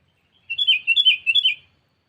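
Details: Sooty-headed bulbul, lure call aimed at a rival: one bright, bubbly phrase of about four linked warbling notes with quick pitch wobbles, lasting about a second, clean and close.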